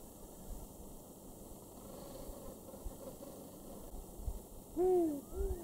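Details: Two Spotted Eagle-Owls calling to each other close to a camp in Tembe Elephant Park, KwaZulu-Natal, South Africa, in July 2019. Soft, low hoots come first, then one loud, low, downslurred hoot and a second hoot near the end, over steady insect hum.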